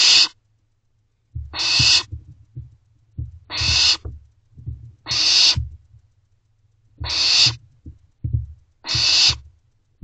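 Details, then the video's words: At 11:48 pm on 24 May 2023, barn owl owlets inside a nest box hiss loudly to be fed by their parents; rasping broadband screeches recur about every two seconds, with faint scuffling in the box between them. "Owlets Calling to Parents For Food."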